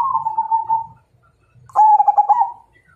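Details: Zebra dove of the Majapahit perkutut line calling to provoke a fight: a smooth sustained coo fades out, then after a pause a burst of fast, bubbling, pulsed notes rolls on at a steady pitch.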